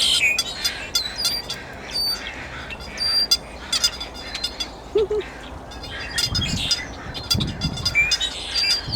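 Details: Blackbirds at the Piper Spit dock on Burnaby Lake hold a noisy group chirp while perched and not coming down to feed. Their sharp, high chirps and squeaky notes overlap without a pause over a low traffic rumble.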